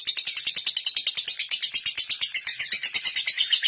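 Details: Ngekek from a lovebird, the long chatter said to lure opponents into joining in: loud, shrill, rhythmic pulses around eight per second, running continuously and growing slightly more intense toward the end.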